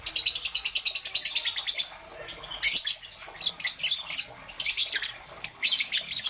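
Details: A young peach-faced lovebird, green and yellow, in the morning: a fast even series of about fifteen shrill chirps, a short pause, then looser bursts of harsh high calls.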